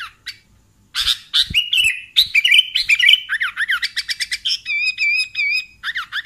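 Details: Sooty-headed bulbul sounds for luring bulbuls into traps: a dense, chattering sequence of sharp chirps, sliding notes and a rolling warble, nearly continuous throughout.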